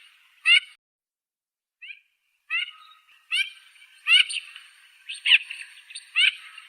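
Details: Duck calling in short, nasal bursts, one loud quack followed after a gap by a soft one, then a quickening run of harsh quacks, some overlapping, with no other sounds present.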